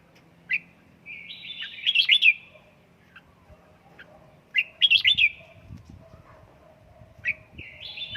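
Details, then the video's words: Red-whiskered bulbul, a pet bird from Gia Lai trained at home to sing, gives rising whistled notes leading into a bright, quick warbling burst, repeated three times with pauses of a few seconds; faint low rumble and rustling beneath. "Cách luyện chào mào căng lửa | Dợt chào mào tại nhà, QUÁ HAY nhanh căng lửa chào mào"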